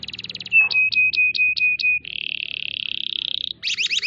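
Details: Masteran canary song in full tembakan style, used to train other canaries: a sustained pure whistle broken by short pulses, then a long buzzy rattle trill, then fast wavering high notes, with faint low background noise.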